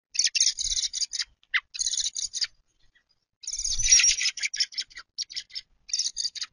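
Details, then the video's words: American robin fledglings at a backyard feeder in May, begging while waiting for their mother to feed them; harsh, buzzy high chatter in bursts of repeated notes, several calls overlapping, with brief pauses between volleys. "Baby Robins (fledglings). Mama Robin is trying to convince them to get their food themselves."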